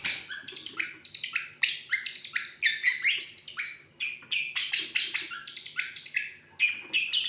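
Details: Intricate lovebird imitations from a long-tailed shrike: dense, shrill, chattering phrases of clipped chirps and scratchy squeaks, pouring out almost without pause and shifting pitch from note to note.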